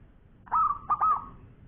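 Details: Local zebra dove giving a long cooing song: a soft, mellow phrase of a low hoot followed by a quick broken run of rolling notes, over a faint low background hum.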